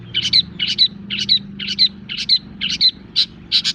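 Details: Long-tailed shrike song, played to stimulate other birds: a scratchy double note repeated about twice a second in an even series, over a faint low hum.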